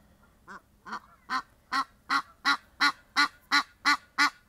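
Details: Egyptian geese outdoors in nature: a harsh, nasal honk series that starts soft and swells louder, about eleven calls at close to three per second.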